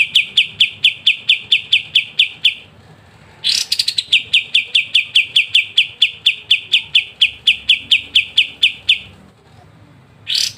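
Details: Kapas tembak singing gacor ngebren for tutoring songbirds: a quick series of sharp repeated notes, a bright burst leading into a longer even run, then quiet before another onset.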